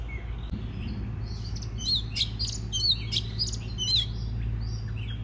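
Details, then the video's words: Oriental magpie-robin song played to stimulate singing: after a quiet start, a burst of sharp, quick whistled and clicking notes runs for about three seconds, then fades to softer notes, over a constant low hum. "Choè than hót kích bổi nghe là hót"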